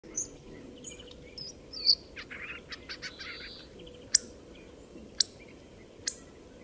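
Hawfinch giving sharp, high ticking notes at irregular intervals, mixed with soft, scratchy chattering phrases; a faint low rumble of background noise underneath.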